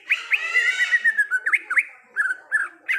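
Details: Greater green leafbird singing in the wild: a long slurred whistle gliding down, then looping up-and-down whistled notes and short burry phrases, varied and fast.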